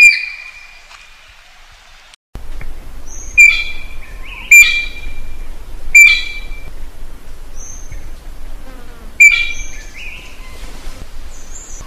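Common green magpie calling for a mate: loud, shrill, ringing notes with a harsh edge, given every one to three seconds, with softer chirps between.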